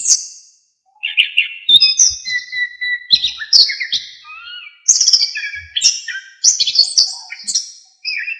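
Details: Orange-headed thrush singing a varied song, used as a tutor recording for songbirds: clear whistled slurs, buzzy notes and high chatter in quick succession, with short pauses between bursts.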